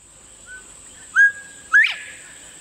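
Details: A Northern Bobwhite in Texas whistles its own name: a faint lead-in, then a clear level 'bob' and a sharply rising, slurred 'white!', over a steady high hiss.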